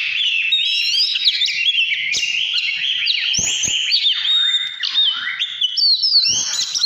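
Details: Oriental magpie-robin singing in the Vietnamese 'căn lửa' style: a rich, continuous stream of whistled phrases, quick upward and downward slurs and sharp clicks, mostly high-pitched, with no other sounds.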